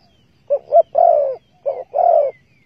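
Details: Two cooing phrases from a spotted dove, heard while trapping birds with bare bait on 15 August 2020. Each phrase is a quick stuttered double note and then a sustained, softly descending coo. Quiet surroundings.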